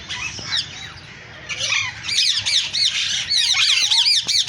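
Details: Green African parrots giving dense, overlapping shrill squawks and quick looping whistles, almost without pause, growing busier and louder in the second half.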